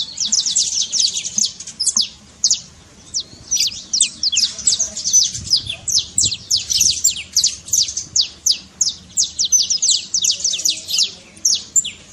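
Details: Trincado song of a saffron finch, played to rouse a silent bird to sing: long run of sharp, high descending chips, closely spaced and steady, with short breaks and faint low background rumble.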